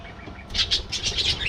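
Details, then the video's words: Budgerigars in a colony: after a short quiet start, a quick burst of bright, scratchy chirps follows, about six notes in under a second. "Budgie Life: Singing, Gossiping, and Hilarious Adventures!"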